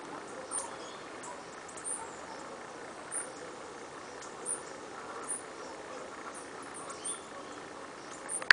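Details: Fulvous-headed Brushfinch (Atlapetes fulviceps) in eastern Jujuy or central Salta, Argentina, near shrubs a few metres from a lookout, giving very high, thin 'tsip' notes singly every one to two seconds over steady hiss, ending with a click.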